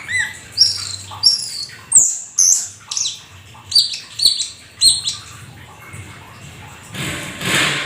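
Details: Black-winged starling in full song: a varied series of high, clear whistles, some sliding down, others short and pinched, delivered in bursts about every half second, followed by a stretch of faint hiss and rustling.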